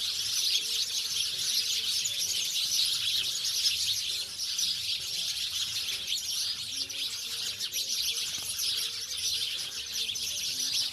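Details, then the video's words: House sparrows, a species said to have moved from cities to villages, chirp together in a dense, continuous chorus of overlapping high chirps with no pause throughout. "Sparrow गौरैया अब शहर से दूर गाँवो मैं निवास करने लगी है, आवाज आपको जरूर पसंद आयेगी !!"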